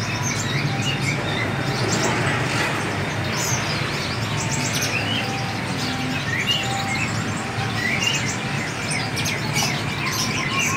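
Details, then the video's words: Free-flying seven-coloured sunbird uttering bright, high twitters and short chirp runs scattered through the recording, with persistent background hiss and faint low hum. "hút mật 7 màu thả"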